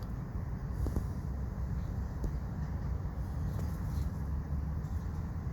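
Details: Low rumbling traffic and wind noise under a steady high hiss, without any animal call.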